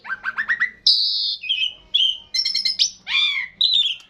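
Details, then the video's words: Long continuous 'ngeroll' singing of a Javan pied starling: a rising series of quick chirps, a bright harsh burst, short whistles, then varied slurred, squawky and warbling phrases. "jalak suren jawa / javan pied starling gacor ngeroll panjang"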